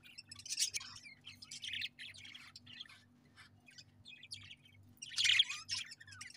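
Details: Pet budgerigars chirping in short scratchy bursts of high chatter, loudest near the start and again after five seconds, separated by quieter twittering, over a steady low hum.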